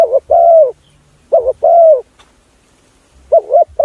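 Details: Spotted dove call used as a decoy to draw in other doves: soft, hollow double coos, a brief wavering note followed by a sustained falling one, sounding three times with quiet pauses between.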